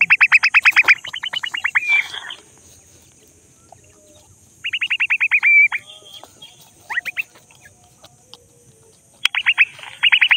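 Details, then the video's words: Francolin chicks playing in mud in Pakistan make rapid bursts of high, sharp chirps, each a quick run of about a dozen notes. The bursts come in three groups, separated by quiet gaps. "jungli teetar chicks voice"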